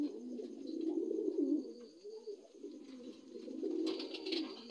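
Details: Dun Lahore pigeons, new adults: low coos swell and ebb in rounded phrases, with a quieter stretch midway and a hissy rustle toward the end.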